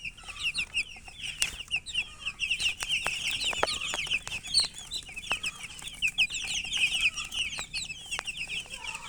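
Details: A group of baby chicks peeps continuously, with dense high-pitched chirps piling over one another and sharp clicks or taps scattered throughout.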